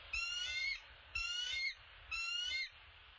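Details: Male bald eagle with an opossum at the nest gives three loud, clear squealing notes, each sliding slightly downward, spaced about a second apart.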